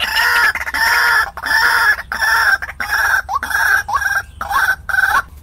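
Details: Lure recording of a white-breasted waterhen for trapping wild birds: strident repeated croaking notes about twice a second, later notes ending in short upward-sliding hooks, loud and distorted.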